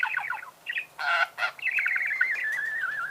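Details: Budgerigar chattering: quick trilled notes, two harsh raspy bursts, then a long wavering warbled whistle.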